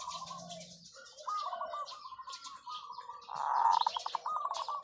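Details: Long cooing song of a zebra dove used as a decoy: stuttering, rolling coo phrases rising to a loud trilled burst near the end, over light high twittering from other birds.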